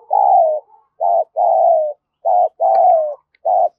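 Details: Spotted dove used as a lure bird, cooing to stimulate other doves to call: six soft, hollow, low coos in quick succession, some short and clipped, others drawn out and slightly falling, with brief pauses between, in an otherwise quiet setting.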